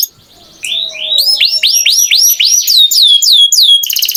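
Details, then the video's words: After a quiet start, a canary launches into song: repeated looping whistled notes, each swooping down then up, about three per second, ending in a fast high trill. "Canary Singing Beautifully"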